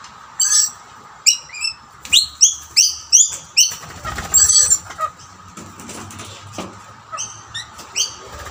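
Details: Several rainbow lorikeets crowd two snack plates while a dominant male drives rivals away from the food. Rapid bursts of harsh, high screeches come in quick succession, then thin out to scattered shrill notes amid flapping.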